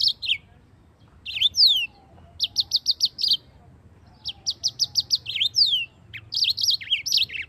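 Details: Long rolling song of a yellow-fronted canary, a tutor recording for white-eyes: several bursts of fast, evenly spaced high notes mixed with sweeping slurs and bouncing warbles, with short gaps between.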